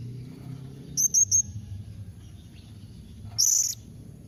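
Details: Calling blue-crowned hanging parrot, meant to prompt other birds to reply: three rapid piercing high chirps, a pause, then one longer shrill buzzy note, over faint low background rumble.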